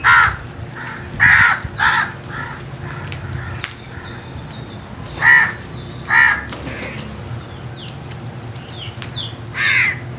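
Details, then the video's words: Crows cawing in loud, harsh bursts, roughly seven calls spread across ten seconds, some in quick pairs, with faint high chirps of other birds and a low background hum. "Very strange Crows Sounds | Amazing noise made by Crows"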